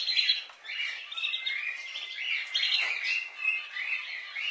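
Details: Lively budgerigar chatter flows without pause, a tangle of wavering whistles, scratchy chirps and trilled notes from several birds.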